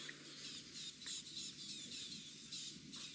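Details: Rattling Cisticolas alarm-calling at a male leopard walking past on an afternoon drive, Sabi Sand, South Africa, 30 July 2017: harsh, dry, high chattering notes in quick irregular bursts, about three a second, over a man's low murmur.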